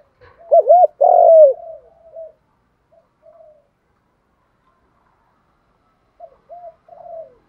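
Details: Spotted dove cooing in the bronze voice to train newly caught doves: a loud wavering double note and a strong long coo, then soft low coos and several seconds of silence before quiet coos return.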